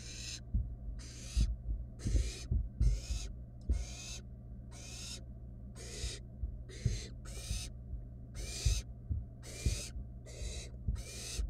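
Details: Rapid series of around fifteen harsh hisses, some overlapping, from wild barn owl nestlings in a monitored nest box while one steals a rat from its sibling; frequent thuds and shuffling below.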